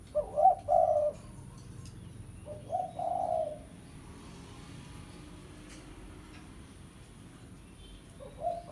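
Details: Spotted dove of pesom type calling a rival as a lure: two soft cooing phrases early on, then a long quiet stretch of low hum before a faint final coo.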